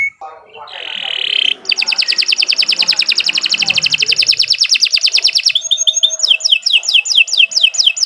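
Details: Canary singing to encourage birds to sing: a short buzzy note, then a long rapid rattling trill of several seconds, followed by a series of descending whistled notes.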